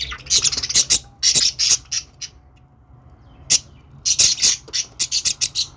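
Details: Cheerful budgerigar chatter in bursts: quick squeaky chirps, a pause of about one and a half seconds with a faint thin tone, then a lone sharp note and a fresh flurry of rasping chirps.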